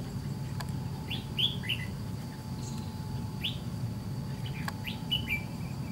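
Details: White-cheeked red-whiskered bulbul during a trap fight with a decoy; sparse, sweet upslurred chirps in small pairs spaced a second or two apart, with faint clicks and low hum.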